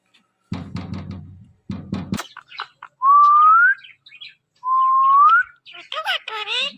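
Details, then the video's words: Indian ringneck parakeet, a pet talking bird: some scraping noises, then two pure whistles that each slide gently upward, then a few short rising nasal syllables. "One Of The Cutest IRN Talking Parrot"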